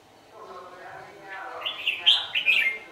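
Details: Red-whiskered bulbul used as a decoy during dusk trapping, November 2018. A murmur of low voices gives way to a bright, rising burst of warbled notes near the end.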